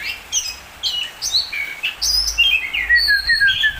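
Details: Oriental magpie-robin song of loud, varied whistles. Rising and falling slurred notes jump between high and mid pitches in quick, irregular phrases, with a faint low rumble underneath.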